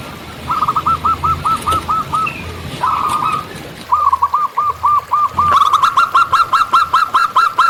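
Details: Local zebra dove singing in the wild: runs of quick, evenly spaced cooing notes, then a slurred burr and a longer, louder rolling series that speeds toward the end.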